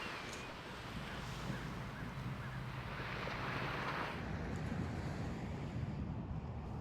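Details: Steady wind rush and rolling surf fill the recording, with a low rumble like a passing vehicle or boat on the coast of Santa Barbara, California; no clear animal voice stands out.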